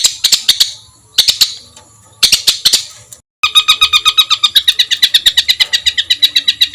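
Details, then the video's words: Rough 'isian kasar' master song for competition birds: three bursts of piercing high notes separated by pauses, then a sustained rapid rattling trill. "suara tembakan kasar untuk masteran"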